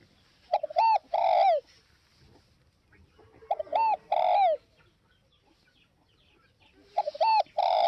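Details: Rhythmic cooing of a spotted dove from northwest Vietnam: three phrases, each short paired notes leading into a longer falling coo, spaced about three seconds apart.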